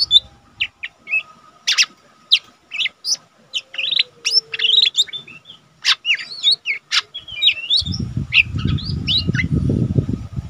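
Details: Cage-kept lesser green leafbird, the small cucak ijo, in eager song meant for tutoring other caged birds: rapid bursts of varied chirps and whistles, with low rumbling background noise in the last few seconds.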